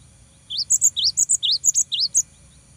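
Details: Cinereous tit in full song, used to provoke rivals: one clear phrase of repeated two-part notes, an upward slur answered by a piercing high whistle, repeated about five times in under two seconds.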